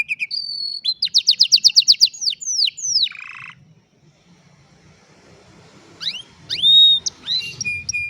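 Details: Afternoon song of an old canary: a burst of fast repeated chirps and sweeping whistles for three seconds, then a pause, then more upward-sweeping whistled notes and a short trill.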